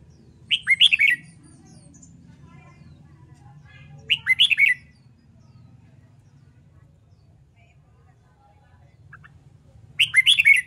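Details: Red-whiskered bulbul in training for competition singing: three short bright phrases of rising and falling whistled notes, each about half a second long and repeated roughly every four seconds, over a low steady hum.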